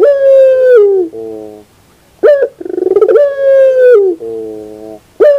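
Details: Puter pelung dove in the morning, drawing out long, mellow coos that sag downward at the end, each followed by a softer hum, with a quick stuttering roll between phrases.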